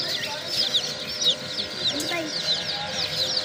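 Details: Flock of baby chicks keeps up continuous shrill peeping. Many quick high notes overlap in a busy, restless chorus, with a low hum and a few softer lower sounds mixed in.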